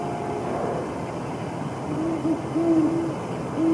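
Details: Great horned owl pair mating in January 2022: a series of deep hoots, short broken notes then longer level ones, against a constant low rumble of distant traffic.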